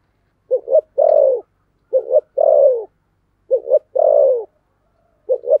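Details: Spotted dove in the thổ sấm voice style with hurried cooing: four deep phrases, each two short stuttered notes followed by a long falling coo, spaced about one and a half seconds apart in quiet surroundings.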